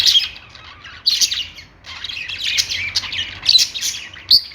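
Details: Budgerigars making happy chirping sounds: continuous scratchy warbling chatter with squawky bursts and higher chirps, several birds overlapping, and a low steady hum underneath.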